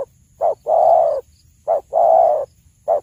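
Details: Spotted dove song played as a lure for bird hunting: steady low hollow coos alternating short and long, a brief note then a drawn-out one, repeating about every 1.3 seconds with faint background hum.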